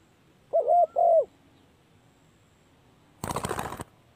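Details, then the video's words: Spotted dove call used as a lure for trapping: two short, hoarse coo notes in quick succession, followed after a pause by a brief burst of broadband noise. "เสียงนกเขาใหญ่/suara burung tekukur"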